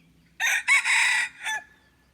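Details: Crow of a red junglefowl used as a decoy for wild birds, dated 10 March 2022. Four-part cock-a-doodle pattern: brief note, short accented burst, drawn-out rasping phrase, then a clipped tail, with faint low hum beneath.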